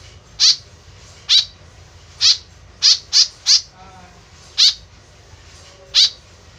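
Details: Tame white-breasted woodswallow used as a lure: nine harsh, falling calls, including a quick burst of three, with faint soft tones in the background.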